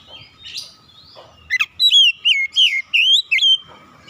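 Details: Oriental magpie-robin song: a quick run of about six loud, ringing whistles, each bending up or down, delivered in under two seconds after a soft, quiet opening; a faint steady hum continues underneath.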